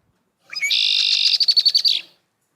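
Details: Mated pair of Red-winged Blackbirds duetting as pair-bonding: male, often atop a cattail, sings a short rising note into a buzzy trill; halfway through, the female, hidden in reeds near the nest, answers with fast pulsed chatter.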